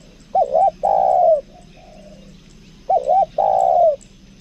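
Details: Lure spotted dove from Lombok giving its "kuk dua" coo twice: a quick double note then a sustained, gently descending hoot. A faint softer coo is heard in between.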